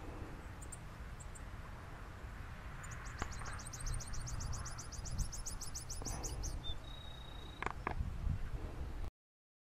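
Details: A saffron finch (Sicalis flaveola), known for its strong, snapping song, sings a fast, high trill of about twenty sharp notes, then a brief thin whistle, over a steady low rumble of wind or traffic.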